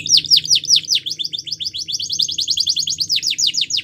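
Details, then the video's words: Young canaries are trained with this champion canary song: strongly repeated swooping downslurs accelerating into a fast rolling trill, then sweeping notes again, over a soft low hum. "Canary Training Champion Song"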